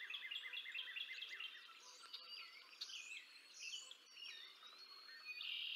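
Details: Nest camera at Decorah North, 20 April 2024, where a female bald eagle feeds her two eaglets: a fast series of high, evenly spaced piping notes, then scattered thin whistles and a short harsh squeal at the end.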